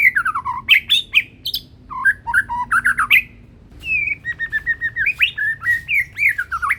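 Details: White-rumped shama of the Medan type, ringed, still in juvenile plumage, singing loudly and strongly: varied clear whistled phrases, sharply rising and falling notes in quick runs, a short pause, then more rolling whistled notes.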